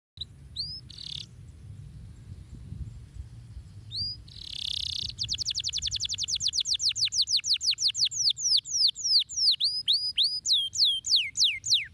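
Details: Canary song played to stimulate lazy canaries: a few high chirps and a buzzy burst, then a long, fast trill of sharp descending notes that gradually slows into louder, swooping whistled notes repeated about three times a second.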